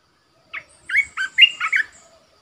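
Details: Caged decoy red-whiskered bulbul gives one loud, rollicking phrase of five or six quick, bouncing whistled notes after a short opening chirp, with a quiet background.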